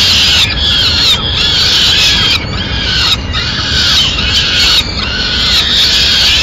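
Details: Peregrine falcons in Madrid on 29 April 2016 as the mother brings the chicks their meal; drawn-out harsh wails, each about a second long, repeated in a regular sequence.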